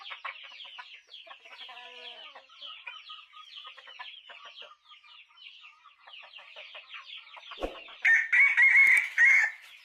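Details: Chickens: many soft, quick clucks and peeps overlap for about eight seconds, then several loud, harsh squawks end the recording.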